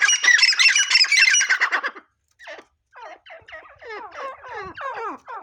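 Grey francolin: a burst of loud, harsh chattering, then a pause and a quick series of shrill, twisting notes about three each second.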